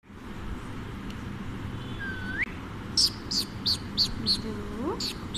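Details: Pet Alexandrine parrot perched on its owner and chattering while being offered biscuits; a smooth rising whistle, then a run of short, sharp chirps repeated about every third of a second, with steady low background hum.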